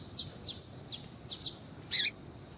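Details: A female double-collared seedeater (Sporophila caerulescens) calls to warm up singing males. She gives short high chirps, five quick notes about every half second, then a longer, harsher burst.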